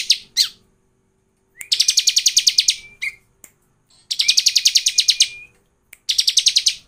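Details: Bar-winged prinia lure song used to get other prinias singing: fast buzzy trills of rapid repeated high notes in bursts about a second long, each opening with a thin steady whistle, separated by short pauses.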